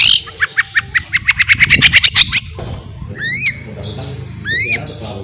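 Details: White-rumped shama in ngeriwik song, meant as a lure: a fast accelerating series of short ticking notes rising in pitch, then two separate sweeping upslurred whistles after a pause, over light background noise.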